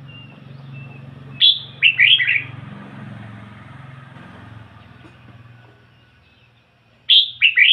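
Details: Decoy red-whiskered bulbul giving its ngoi bổi song: two loud, brief phrases of quick slurred whistles about five seconds apart, each a high opening note and tumbling warbles, over steady low traffic-like rumble.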